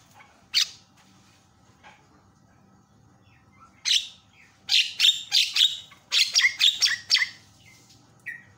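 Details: Javan myna calling loudly to stir other mynas to answer: scattered harsh notes at first, then a rapid run of raspy, broadband squawks and chatters, about three or four per second, ending with a brief whistled note.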